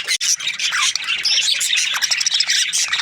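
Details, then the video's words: Budgerigars chirping: a dense, continuous chatter of high, overlapping squawky chirps and warbles with no pauses, and no other clear sounds. "Budgies parrot chirping sounds"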